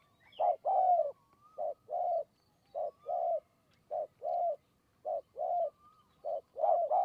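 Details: Wild spotted dove cooing from a perch in high forest in Kanchanaburi, Thailand, drawn in during decoy trapping; a long run of mellow, low coos in short and drawn-out notes, phrases repeated about once a second, with no other sounds.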